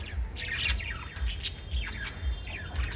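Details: Lovebirds, five together, letting out sharp squawks and rising-falling squeaky chirps in quick succession, with a soft low thumping beat behind.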